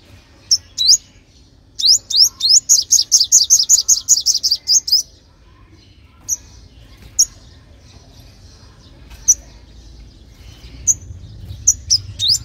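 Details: Olive-backed sunbird song used as a lure to call in young wild birds and stir caged ones to sing: a fast run of high sharp rising notes repeated about a dozen times, then scattered single thin chips.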